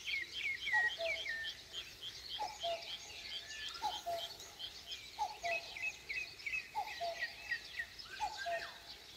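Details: Countryside dawn in Korea with a common cuckoo giving its paired cuckoo notes, high then lower, six times in regular succession, while a dense background of chirping songbirds carries on above it.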